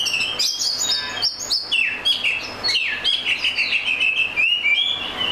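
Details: Oriental magpie-robin singing a rich, varied song of clear whistles and slurred notes, some sliding downward, phrases following each other rapidly with few pauses.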